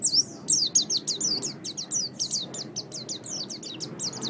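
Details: Continuous, rapid, high-pitched twittering from an Oriental white-eye, used as a training song for songbirds; thin downslurred notes follow one another almost without a break.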